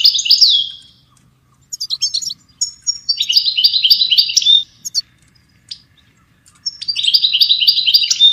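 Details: ['European goldfinch song used to train songbirds: bursts of rapid, twittering high notes with fast buzzy trills, separated by short silences, repeating about every three seconds.']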